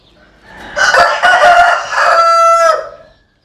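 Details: Single rooster in the Vietnamese Mekong Delta countryside giving one full crow of about two and a half seconds, raspy and broken at the start, then a steadier, drawn-out tone that fades away into silence.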